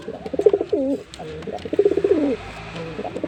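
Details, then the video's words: A male jeera pigeon gives a run of low, throaty, rolling coos, swelling and falling in bursts over a few seconds, with faint indoor background noise. "Pigeon Sound Effect (Ultra High Quality) || Male Pigeon Super Performance"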